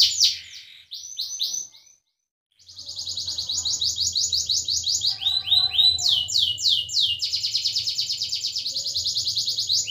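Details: Caged canary singing vigorously, its song used to prompt silent canaries to sing: long runs of fast, high, rattling trills that change speed and pitch, with rolling phrases and a brief pause near the start.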